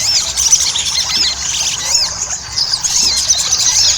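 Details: Ruby-cheeked sunbird song played as a lure to get other sunbirds singing: dense, high, squeaky twittering of short arched notes that overlap without pause, with no other clear sounds.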